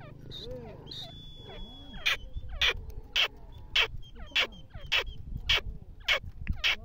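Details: Partridge (teetar) giving loud, harsh bursts repeated about every half second, over a busy chorus of smaller birds' chirps and whistles and a low background rumble.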